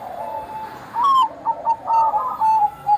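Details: Zebra dove of the Bangkok type singing actively, meant to coax other doves into song: a brief rising note, then a quick series of short, evenly pitched coos.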